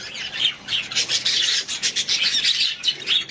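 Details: Budgies at home produce a busy run of grating, high-pitched chirps and squawks, rapid pulses packed closely together throughout.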